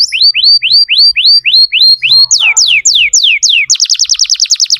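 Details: Lure song of a vigorously singing canary for training young canaries: repeated upswept whistles about four a second, then slower, longer falling whistles, closing with a very rapid series of sharp descending notes.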